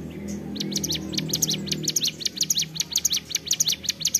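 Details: Mountain prinia (ciblek gunung) singing persistently in the ceplekan style: rapid high sharp chirps and clicks repeated several per second, with a low background hum.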